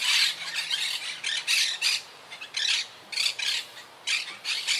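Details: Harsh, grating squawks from a wild Quaker parakeet colony living high in trees, regrouping after losses to hurricane Irma in 2017. Loud bursts come in irregular clusters with short quiet gaps between them.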